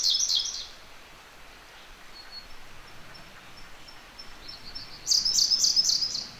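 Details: In a gorge, a Siberian blue robin sings nearby. The phrase ends in a shrill trill, then come evenly spaced high thin ticks that build into a second fast, loud, buzzy trilled phrase near the end.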